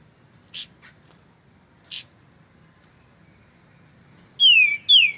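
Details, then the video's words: Kapas tembak, the white-shouldered triller, in a clear recording with pauses. Two short scratchy bursts are spaced apart, then two loud whistles slide downward at the end. "MASTERAN kapas tembak suara jernih"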